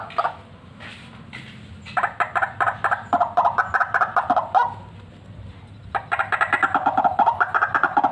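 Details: White-breasted waterhen, a fighter bird calling actively, recorded for use as a lure: harsh, croaking notes repeated rapidly, nearly two per second, in two long bursts separated by a quieter gap of about a second.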